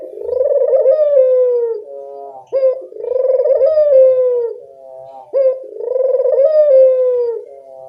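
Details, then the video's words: Repeated drawn-out coos of a puter dove, a bird that calls strongly: a quick clipped note, then a long purring tone that rises slightly then falls, three phrases about 2.7 seconds apart, in a clean recording. "Masteran burung puter gacor, mengatasi burung puter malas bunyi"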